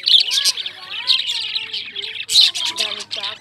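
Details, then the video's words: Indian lovebirds chirping in a dense, continuous chatter of sharp, high twittering notes, with louder bursts near the start and again around the middle, over fainter lower tonal sounds like a voice or music in the background. "Love Birds Chirping,Indian Lovebirds Making Sound"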